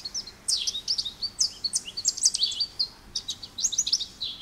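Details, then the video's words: Softer American goldfinch song: a steady string of high, sweet chirps and quick down-slurred twitters, delivered in small clusters with brief gaps. "American Goldfinch Bird Call Song | Goldfinch Bird Singing | Goldfinch Bird Sounds"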